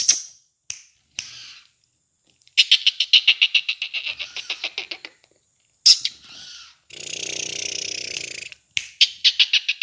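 Black francolin giving harsh, grating clicks that run into a fast rattling series of about fifteen notes, with a burst of rough hissing noise in between.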